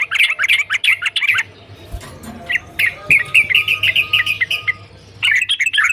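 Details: Sooty-headed bulbul (trucukan): busy, jumbled warbled phrases, a quieter stretch of evenly spaced chirps with a faint low steady tone, then another burst of tumbling notes.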